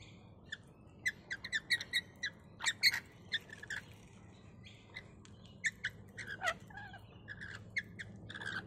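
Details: Wild rainbow lorikeets visiting a balcony in Australia call out for food. They give sharp, harsh screeches and squawks in quick irregular bursts, several per second at times, over a faint low background hum.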